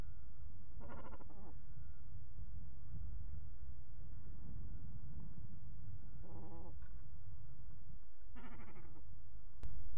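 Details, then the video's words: Cormorant at Manton Bay, Rutland, unwilling to share its spot with company; three harsh, raspy croaking bursts with a buzzy, stacked texture, spaced several seconds apart over a constant low rumble of background noise. "Cormorant didn't want company"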